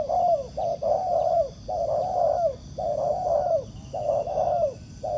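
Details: Low mellow cooing from a wild spotted dove answering a ground-placed decoy in a trap: rapid runs of short and drawn-out falling coos nearly continuous for five seconds, with steady background hum.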